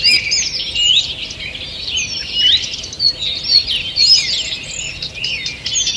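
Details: Forest birds singing in the morning on 2 June 2023, many voices at once: tangled high twittering, quick trills and short whistled slides, rising and falling in waves without pause, over a faint constant high hiss.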